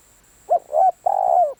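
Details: Spotted dove kept as a luring decoy. One phrase: a brief rising coo, a smoother second note, a short pause, then a long, level, gently wavering coo that fades downward.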